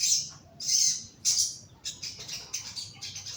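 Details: Young crimson sunbird in a lower cage for therapy, delivering three loud piercing high chirps followed by a rapid series of quicker, softer twittering notes.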